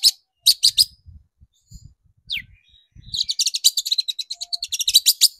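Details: Shrike song played to provoke rival shrikes into singing: a few harsh notes and a falling squeal over faint low thuds, then a fast, continuous rattling trill of clipped high notes.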